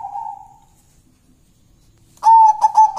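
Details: Local zebra dove (perkutut lokal alam) coos: a short, steady, soft whistled note, a second of near silence, then a louder ringing coo broken into quick rolling pulses.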